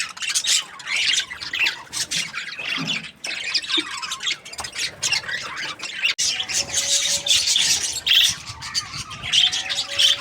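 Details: Happy budgies chirping with harsh squawky chatter and scratchy warbling in fast irregular bursts, a brief pause near the middle before the busy twittering resumes.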